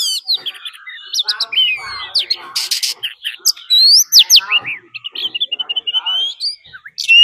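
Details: Decoy Oriental magpie-robin in fighting song, with a wild female calling, meant to excite other birds: a busy jumble of clear whistles, sharp upslurs and rasping notes, varied and irregular throughout.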